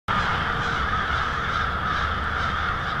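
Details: Hundreds, maybe thousands, of American crows gathering on Mary Avenue in Lansing, Michigan, to roost for the night on February 1, 2016; a dense, unbroken wall of overlapping harsh caws with a faint low hum beneath.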